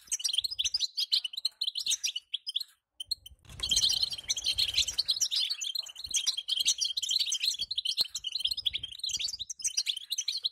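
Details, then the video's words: Female European goldfinch calling to make the male sing, a lively stream of high chirps and twitters, broken by a brief pause and then a burst of rustling noise before the twittering resumes. "أخيراً بتبتة لن يصمت الحسون معها دقيقة"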